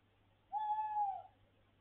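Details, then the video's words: Tawny owl perched on a house roof above a window at night, giving a single smooth, sustained hoot of steady low pitch lasting under a second, against a faint low hum. "Puszczyk , fajnie się śpi przy takiej "muzyce""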